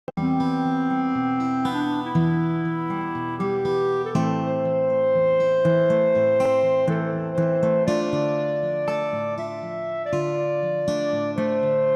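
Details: Steady instrumental music with sustained melodic notes and harmonies throughout, with no animal sounds.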